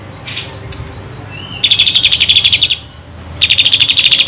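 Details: Captive white-eye in full song, used as a tutor for magpie-robins, giving two rapid, high chattering trills of about a second and a dozen quick notes each, after a few short scattered chirps.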